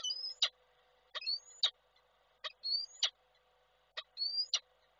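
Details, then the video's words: Calling male peregrine falcon, recorded by a nest camera in Koszalin, Poland, 12 December 2023, summoning the female. Four evenly spaced couplets of a squealing rising note and a sharp chup, sounding insistent and repetitive. "Samiec Nilę wołał, jak przyleciała to odleciał"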